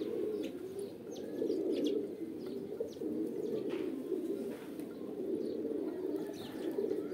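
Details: A dense chorus of pigeon coos, deep and burbling, running on without pause and swelling louder near the end, with occasional soft clicks in the background.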